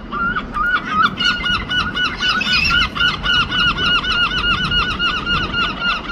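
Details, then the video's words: European herring gull pair duetting in London: a loud, fast laughing series of harsh, even-pitched 'kyow' notes, about four per second, running unbroken for six seconds over low background rumble. "The Greatest Wildlife Duets Singing ( Herring gull )"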